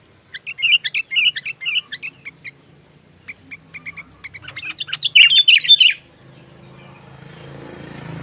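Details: Sooty-headed bulbul, song for training magpie robins: a rapid series of repeated warbled chirps, a quieter stretch of short notes, then a loud bubbly flourish before the bird stops and a low rising rushing noise takes over.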